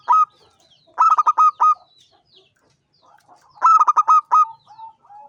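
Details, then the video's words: Local zebra dove, a prized champion singer: two bursts of fast, hollow cooing notes in a stuttering rhythm, each preceded by a single lead note, ending with quieter drawn-out coos. "SUARA BURUNG PERKUTUT JUARA GACOR NGANCING"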